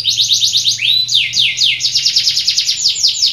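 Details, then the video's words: Canary singing actively and steadily, valued as a strong tutor singer with good song variations: rapid series of descending sweeping notes about seven per second, broken once by a slower rising whistle, over a faint steady low hum. "Kenari Gacor Cengkok Oke Main Anteng l Mansteran super Handal"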